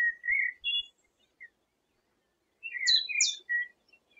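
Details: Recorded in 2017, a Eurasian penduline tit gives short buzzy chirps, pauses for over a second, then a fresh burst of mid-pitched chirps mixed with two high descending whistles; no other sounds.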